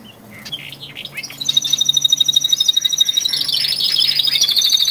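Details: One of twelve male canaries kept indoors in early February, raising song intensity ahead of spring; after a faint start, a rapid run of high trilled notes builds into a continuous bright, rolling warble with steady pulses.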